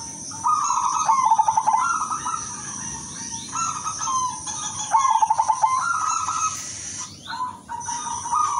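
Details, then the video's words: A silver female zebra dove calling for males, used to provoke replies: several rolling coo phrases spaced a few seconds apart, each with rapid staccato pulses, accompanied by a steady high-pitched whine. "pekutut BETINA silver memanggil jantan"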